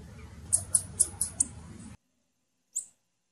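A female blue-black grassquit gives five thin, very high chips in under a second over a low rumble, then one more chip after a pause.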